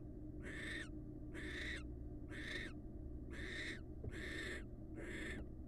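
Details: Wild barn owl pair during pair bonding: six harsh, raspy, hissing screeches, each about half a second long, repeated roughly once a second, over a steady low background hum.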